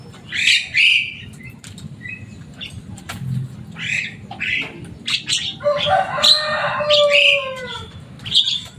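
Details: Noisy caged Javan myna, noted for a loud voice and speech mimicry, producing scattered harsh squawks and clicks before a grating phrase with several falling whistled tones.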